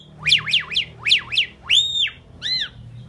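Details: Talking Indian pied myna, able to say "Kazi Bhai" and "Mynah": loud swooping whistled phrases that rise and fall rapidly in quick sets, then two longer arched, harmonic notes.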